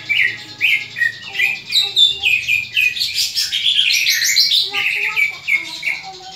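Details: Greater green leafbird in fighting mood, calling to train other leafbirds' fighting spirit: repeated sharp descending chirps about three per second, swelling into a dense, fast, harsh chatter midway before returning to evenly spaced chirps; low hum in background.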